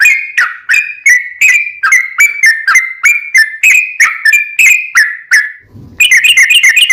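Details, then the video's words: Sooty-headed bulbul singing a long 'ropel panjang' rapid song meant to make other bulbuls answer; bubbly whistled notes roll on quickly, then a short pause and a faster, tighter burst of chirpy phrases to finish. "trucukan gacor ROPEL PANJANG buat pancingan trucukan agar bunyi JADIKAN burung trucuk gacor NYAUT"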